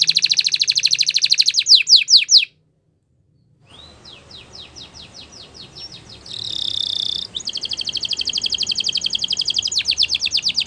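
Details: Spanish Timbrado canary training song with fast rattling trills and descending strokes, a break of silence, then rising slurred notes, a short dense buzz, and a long steady rolling trill over faint background hiss.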